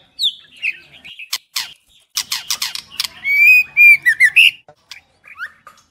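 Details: Female White-rumped shama, song meant to excite males: scattered sharp clicks lead into a run of high, wavering whistled notes and brief falling whistles.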